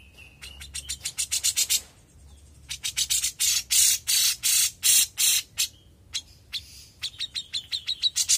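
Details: Energetic song of a young grey-cheeked bulbul: runs of loud rasping notes, with a fast series, a pause, then slower longer harsh blasts, and a closing quick chatter.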